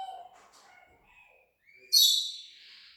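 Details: Parrot that talks and copies sound effects: soft wavering whistled notes, a brief quiet gap, then a sudden loud harsh screech that fades into a hissing tail.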